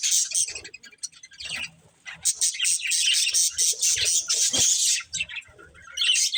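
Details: Breeding pair of budgerigars gives loud rasping chirps and squawky chatter in bursts, dropping quiet around two seconds before resuming dense warbling.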